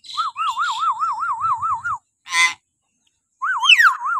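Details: Common hill myna giving shrill morning calls, used as a lure to train captive mynas; a steady wavering whistle repeated rapidly, then a harsh rasping burst, silence, and a falling screech before the wavering whistle returns.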